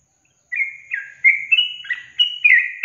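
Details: Sooty-headed bulbul song intended to coax silent caged birds into singing: after a moment of quiet, clear whistled notes stepping up in pitch, then a burst of gurgling chirps.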